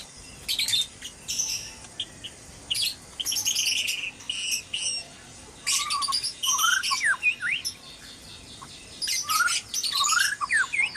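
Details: White-rumped shama at dawn in a breeding cage, noisy: clusters of sharp high chips and buzzy bursts separated by brief gaps, later joined by slurred rising and falling whistles.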